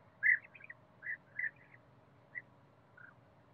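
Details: European bee-eater in a forest, giving short, rolling, burry notes: a quick cluster at the start, then single calls spaced about half a second to a second apart, with fainter ones trailing off, over a low steady background hum.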